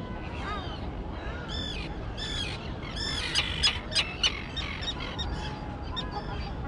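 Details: Young terns in a colony on a grass-covered islet; harsh arched calls and a run of four loud sharp notes in the middle, other birds calling behind.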